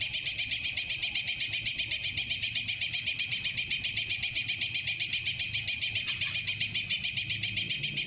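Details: A greater green leafbird, tutored with kingfisher-like fill notes, pours out a long, unbroken, high-pitched chattering burst, pulsing about four times a second with hardly a pause.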